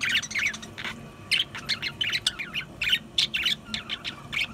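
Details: Budgies keep up a lively warble of scratchy squeaks and chirps, delivered in short bursts about twice a second with brief gaps between phrases.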